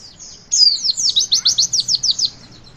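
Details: Javan white-eye in witwit style, aimed at getting young birds to sing: a bright sliding whistle opens a quick, regular train of about twelve sharp high chips.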